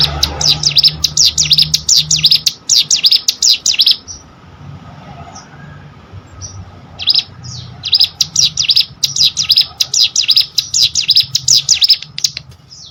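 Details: Hill prinia song recorded to train competition birds: a long run of fast, shrill repeated chirps, a pause of several seconds with a low hum, then another extended burst of rapid high swooping notes.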